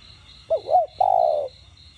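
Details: A spotted dove in the standard đồng gù voice, used to excite other doves: two quick bent notes then one drawn-out low coo, backed by a soft, evenly pulsing high tone.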